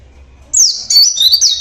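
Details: Local Javan Oriental white-eye singing naturally: after half a second of quiet, a high, thin twittering phrase of rapid slurred notes runs on for about a second.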